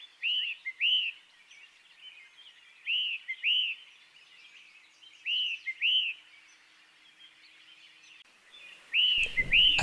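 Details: Small birds in East Tennessee near Johnson City in early 2020 give alarm calls during hawk courtship and feeding activity: high, arched notes in pairs, repeated about every two to three seconds, with a brief rustling thump near the end.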